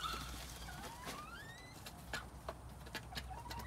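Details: Quails in spring 2021 giving clear whistled calls, several long upward-sliding notes overlapping in the first two seconds, then brief chirps, with a constant low hum and sharp tapping noises behind.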